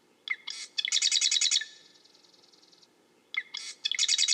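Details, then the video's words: Marsh wren giving two buzzy, mechanical songs: a few sharp introductory notes followed by a rapid rattling trill repeated about seven times, lasting under a second each, with a quiet gap between them. "Marsh Wren - Bird Sounds"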